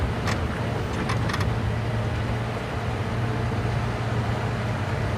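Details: A steady low engine rumble from a safari vehicle during an afternoon drive, with a few faint clicks and no animal voices.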